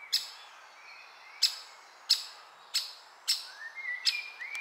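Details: Nestling woodpecker producing six loud, scratchy, high-pitched notes spaced about 0.6 to 1.3 seconds apart, while soft rising whistles from other birds sound behind them.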